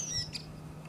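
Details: A redwing in Iceland in April sings a song fragment: a thin, high whistle sliding downward, then a quick scratchy note, over a steady low hum.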